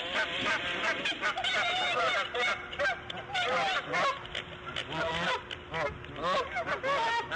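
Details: On the morning of March 1, 2014, at 8:40 AM, a nesting female bald eagle lays her fifth egg, giving excited, piercing chittering notes in quick strings, with brief gaps and a faint hum beneath.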